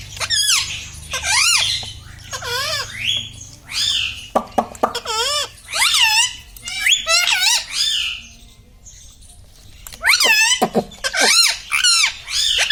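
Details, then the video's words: Parrot kept as a pet, saying 'mummy', 'papa' and 'radhe radhe'. It gives a long series of rhythmic, arched, nasal word-like calls in clusters, with a pause midway, and faint human voices are also audible. "Talking mummy papa|| mummy vala parrot || mithu bolo radhe radhe"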